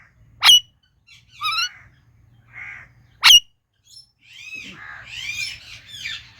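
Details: Indian ringneck parakeet uttering two sharp piercing shrieks a few seconds apart, between them a harmonic chirp and a soft buzzy note, ending in a string of arched grating calls.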